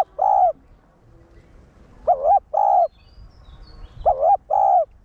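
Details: Decoy call of a spotted dove in the 1 hậu style, used to excite caged wild-caught males. A lone level coo leads into two pairs of coos spaced about two seconds apart, each pair dipping then steady.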